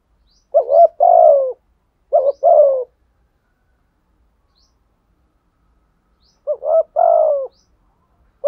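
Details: Spotted dove giving 'thổ sấm' deep-voiced coos meant to provoke wild birds into cooing; two quick pairs of phrases, each a short wobbly note and a longer falling coo, separated by a long quiet pause.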